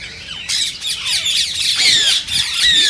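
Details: Green rose-ringed parakeet, the Indian ring-necked parakeet, whose calls are said to stimulate singing and mating in other parakeets: harsh, high screeching squawks begin after a quiet half second, then overlap in dense bursts with short dips between them.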